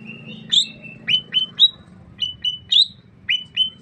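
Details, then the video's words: Greater green leafbird of the Sukamade type from Banyuwangi, East Java, whose song opens with a minipici imitating the Keluar bird: sharp upswept chips alternating with steady clear whistles, about one phrase per second, over a faint low hum. "Suara Khas Cucak Ijo Sukamade ( Merubetiri )"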